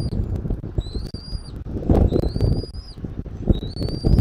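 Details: High, thin whistles of a bald eagle at its Southwest Florida nest on 13 January 2024 in the afternoon; three clear notes plus a clipped one, each slightly rising, under constant buffeting wind.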